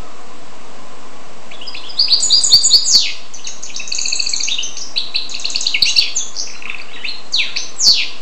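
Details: Hybrid of goldfinch and canary in song: quick twittering phrases of chirps and trills, some notes sweeping down sharply, starting after a quiet second and a half and running on steadily.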